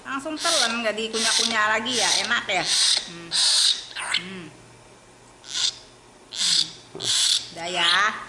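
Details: Young tame common hill myna begging for bread: rasping broadband bursts alternate with wavering, nasal tonal cries, delivered in irregular runs with short pauses.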